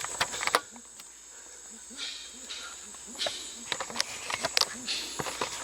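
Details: Grey-winged trumpeters in the Suriname/French Guiana interior give their normal flock contact call, which keeps the flock together: soft, low hooting notes in a steady series, about three per second, over a high insect hiss and scattered clicks.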